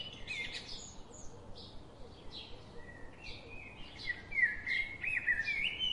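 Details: Nestling bulbuls being fed: quick high chirps come several per second, then a stronger warbling, wavering phrase rises in the second half and carries on to the end against a steady low noise floor.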